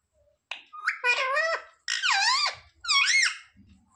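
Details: Talking pet parrot (tota) indoors imitating words like "mummy papa": three distinct harmonic, speech-like syllable groups, each swooping down then up in pitch, about a second apart, with faint thumps afterward.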